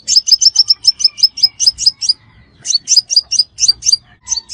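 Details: A crimson sunbird lure recording made for catching birds. A long run of rapid, sharp high chirps falls into an even rhythm, then breaks into shorter groups of three or four notes.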